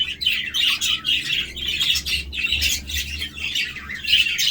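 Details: Scratchy squawks mixed with high chirping warble from budgerigars, repeated in short bursts over a faint low hum.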